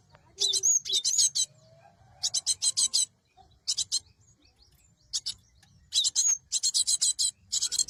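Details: Cinereous tit used to lure birds for capture: rasping high notes in quick groups, a thin whistle near the start, and a dense final run of buzzy bursts.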